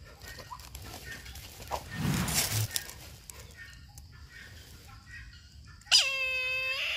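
After rustling and handling noise, a Brahminy kite gives a single loud, wheezy mewing cry that drops sharply in pitch, then holds it drawn out.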